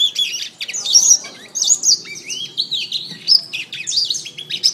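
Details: Masteran recording of a canary singing a lively, varied string of high chirps, down-slurred whistles and short rattling trills with hardly a break, over a soft low background murmur.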